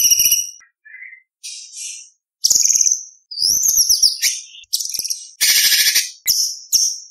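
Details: White-rumped shama singing competition material in full-fill style, meant for tutoring young speckled shamas: a rapid mix of sharp whistles, buzzy trills, a soft low note and rising slurred phrases, changing every half second.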